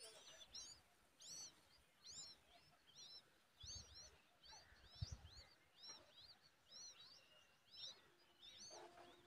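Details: Young common babbler begging while its mother offers a big worm, a fairly quiet series of high, curved squeaky chirps in short groups, with faint background noise.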